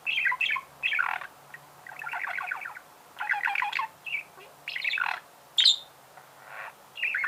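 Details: Budgerigar warbling: raspy chattering phrases and rattling trills come in bursts roughly every second, with a few thin squeaks and one piercing high note near the end.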